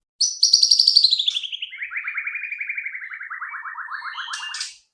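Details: White-rumped shama song used as a lure to prompt other shamas to sing quickly: a long trill of rapid notes, about four per second, sliding steadily downward from high to mid pitch, ending in a brief higher flourish.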